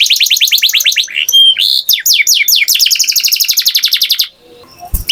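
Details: Canary song mixing rapid chirping trills with a few pure whistled tones and slurred downward notes, then a long fast trill, ending in quiet with a brief low knock.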